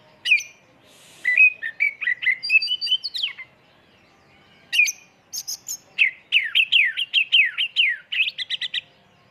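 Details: Lure song (pancingan) of an oriental magpie-robin, full isian tembakan style. Slurred whistles and a harsh buzzy note lead into a pause, then a fast series of downslurred whistled notes repeated in quick succession.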